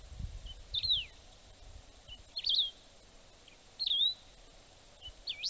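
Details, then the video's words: Wedge-tailed grass finch song used as playback for birding, repeating a brief phrase about every one and a half seconds: a soft short note, then a high, twisting whistle that slides down, over a faint low rumble. "Canário do Campo (canto, Play Back )"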